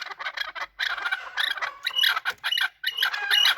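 Chukar partridges calling while fighting: harsh, scratchy chattering bursts in rapid succession, broken by brief pauses.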